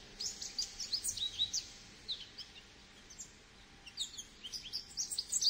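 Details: Goldfinch song in two phrases: an opening run of high, tinkling twitters, a brief lull, then another bright, jangling burst of chirps and slurs.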